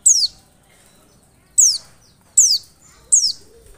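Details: Oriental white-eye lure: four high, thin, falling notes, the first set apart by a long pause and the last three closer together, over a quiet background.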